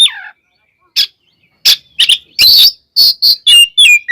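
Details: Provoking fighting song of an oriental magpie-robin (kacer): a falling whistle, then spaced harsh buzzy bursts and sharp chips, growing denser toward the end.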